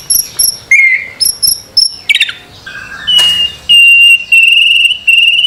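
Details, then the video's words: White-rumped shama song from a master recording meant to make a bird sing; varied clear whistles, high paired notes and short slurs, then a sustained insect-like trill running through the second half. "Masteran murai batu. Di jamin langsung rajin bunyi"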